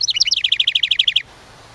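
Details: House wren at its nest site in a ceramic birdhouse near a cabin: a loud, fast song opening with jumbled high notes, then a steady trill of about a dozen evenly spaced notes over one second.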